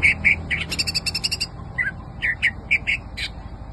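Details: Kept greater green leafbird giving loud, clipped chirps at an uneven pace with a brief rattling trill, then a run of separate sharp notes about three per second, low background rumble.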